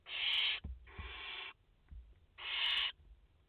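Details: At a barn owl nest in France holding a mother and four chicks, 30 August 2021, live: three breathy, rasping hisses about half a second each, the middle one softer, with a pause before the last and faint tapping sounds.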